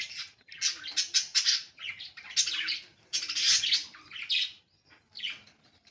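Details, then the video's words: Caged budgerigar giving near-continuous chatter: rapid high chirps and squawky trills pouring out in long runs with only short breaks, plus a faint low tone in the room. "budgie chirping sounds"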